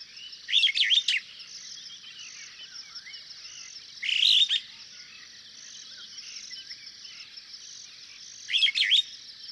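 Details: Superb starling in Kenya, where it is common: bursts of rapid, squeaky, chattering notes every few seconds, each burst a cluster of sharp high chirps, with a constant high insect drone behind.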